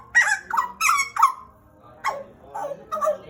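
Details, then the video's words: Pet pied butcherbird from Papua, Indonesia, about two years in captivity: four fast, rough harmonic notes in a burst, a gap, then three spaced, downslurred whistles. "JAGAL PAPUA GACOR"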